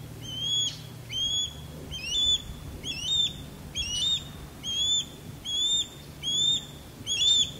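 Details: Male osprey performing a courtship sky dance low over a backyard, calling while a female calls from a longleaf pine; a steady series of sharp, rising whistled chirps with a harmonic above, about one per second, faint low hum beneath.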